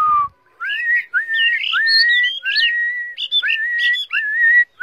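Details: Varied whistled song from a tamed Chinese hwamei kept in a cage: rising and swooping phrases, with higher flourishes layered over steady mid-pitched whistles, delivered almost without a break.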